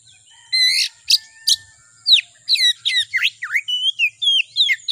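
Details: Kacer (Oriental magpie-robin) song as a lure to provoke kacer singing: a rich buzzy note, two sharp whistles, then a continuous chattering stream of swooping, rising and falling whistled notes.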